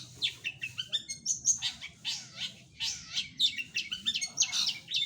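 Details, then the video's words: Long-tailed shrike in energetic song, pouring out high-pitched chattering notes, thin whistles and scratchy chips in quick uneven bursts, with faint low background noise. "CENDET GACORR"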